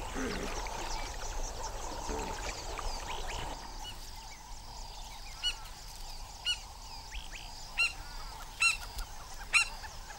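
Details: African skimmers defend their first chicks of the season, only a few days old, from a monitor lizard. After a noisy start, sharp, short yelping calls ring out about once a second over a quieter background.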